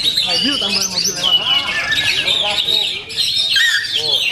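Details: Powerful Oriental magpie-robin song with high whistles and rapid chattering, a rising squeaky note early on, then busy twittering with a brief lull.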